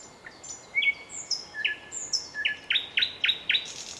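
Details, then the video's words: A nightingale sings a phrase of sliding high whistles, then a rapid train of about six emphatic, identical upward-flicked notes, over a quiet background. "Пение соловья / Chill out Nightingale Singing"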